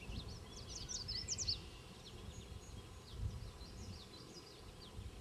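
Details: Banded wild Black-capped Chickadees, a male and female pair, feeding nestlings at a fence-post nest near Queen's University Biological Station in spring 2006; high, thin squeaky chirps in quick clusters, loudest around the middle, over a low rumbling background.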